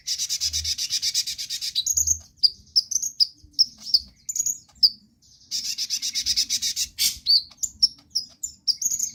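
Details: Konin sunbird singing energetically as a lure to get other birds singing: two long rapid buzzy rattles, each about two seconds, between runs of separate high sharp chirps, with light low-pitched knocking in the background.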